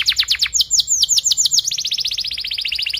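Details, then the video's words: Tutor song of a canary for young learners, made of rapid downward-sweeping whistled notes that speed up into a tight, fast rolling trill. "KENARI GACOR PANJANG Rol Rapat EMOSI Cuit cuit Ngerol AMPUH utk Pancingan kenari paud belajar bunyi"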